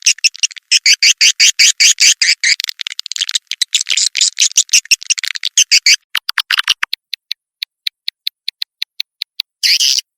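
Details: Lure call for attracting swiftlets: rattling, buzzy trills for about six seconds, then a sparse series of sharp dry clicks and a final short buzz.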